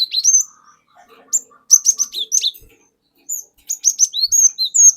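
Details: Cinereous tit of wild origin singing 'wucit wuit': quick high downslurred whistles in bursts, then a rolling series of bright falling notes, with faint soft background tones.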